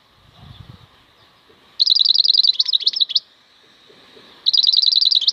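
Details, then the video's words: Wild European goldfinch (maknine khalwi) singing: two bursts of rapid, bright, tinkling trills of repeated high notes, separated by a quiet pause, with faint low rustling early on. "MAKNINE KHALWI super chant"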